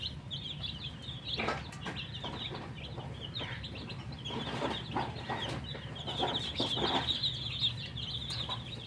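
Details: Thirsty baby chicks chirping for drinking water; rapid high peeps run nonstop, mixed with clicks and knocks of handling and a steady low hum.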